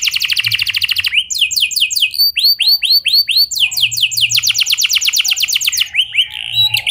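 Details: Clear rolling canary song to encourage other canaries to sing: a fast high trill, a string of curved whistled notes, then another rapid roll and a few sweeping notes at the close.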